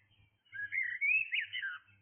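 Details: Blackbird singing in the early hours of the morning: one rich, fluted warbling phrase of sliding whistled notes, rising and falling, with a faint low rumble beneath.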